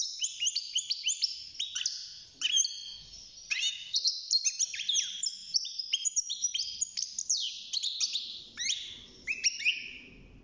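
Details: Young caged European goldfinch, six months old, starting to sing: a rapid, continuous twittering of high, sharply bending notes, thin slurs and buzzy trills with hardly any pause, and faint low room noise underneath.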